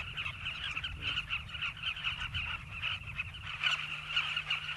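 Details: Carmine bee-eater colony, southern species, nesting in river banks at South Luangwa National Park, Zambia: a steady wall of overlapping gritty chirps from a large flock, with no pauses.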